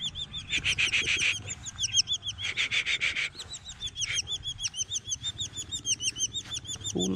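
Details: Collared falconets in hunting training give quick runs of high, chevron-shaped chattering notes, about three per second, broken by harsher, louder bursts of overlapping calls, with a soft thud at the end.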